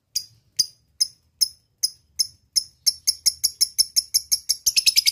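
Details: Lovebird lure calling a rival, ngekek style: isolated thin, high chirps at first, accelerating into a fast, continuous chattering trill.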